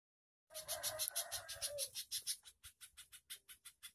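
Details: Spiderhunter singing, a fast run of sharp, high ticking notes about five per second, slowing slightly toward the end, with a lower rough note early on.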